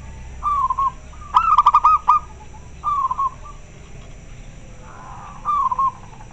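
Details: Clear calls of a local zebra dove replying to another bird: short soft coos alternating with a longer phrase of rapid pulsed, bubbling notes, the last phrase quieter, over constant low background hum.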